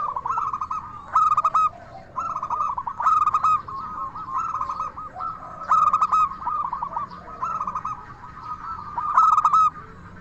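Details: Local Indonesian zebra dove in lively "crystal voice" song, used as a lure so other zebra doves answer. Loud bursts of rapid, staccato pulsed cooing come about every two seconds over a steady, lower background of rolling coos.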